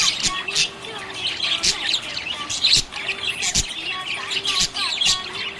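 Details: Contented budgerigar chirping: lively chatter of harsh chirps and squeaks, with sharp clicks every half second or so and faint whistled slurs over a low hum.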